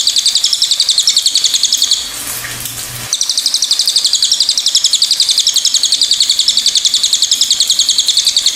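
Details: Pied fantail song: dense, high, pulsing chatter repeated several times a second, with a one-second gap of low rumbling midway.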